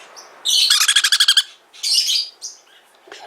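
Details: A small sun conure chick, delivered that day and just after its first feed, gives a harsh, raspy burst of about eight quick pulses, then two shorter scratchy squawks.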